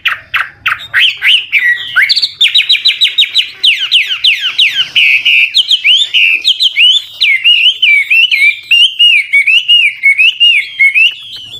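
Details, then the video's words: Old wild Chinese hwamei singing continuously with varied, trilled, shifting phrases, used to stimulate young birds to sing; rapid series of downslurred whistles, then a long run of looping, warbling notes repeated about three per second. "Tiếng chim họa mi mồi già rừng hót luyến láy đảo giọng liên tục, giúp kích chim bổi nhanh hót"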